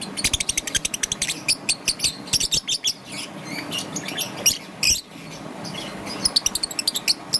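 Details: Young peach-faced lovebird in green and yellow plumage chirping in the morning, rapid bursts of short shrill chirps in quick series, brief pauses, then another fast chattering run.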